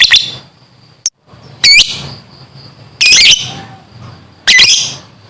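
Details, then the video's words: Lovebird singing in the morning in the ngekek style: four loud, harsh, chattering bursts, each about a third of a second, high-pitched and squawky, separated by quiet pauses of about a second with a faint low hum beneath. "Suara Asli Burung LOVEBIRD di pg hari 1menit Langsung NGEKEK DURASI PANJANG"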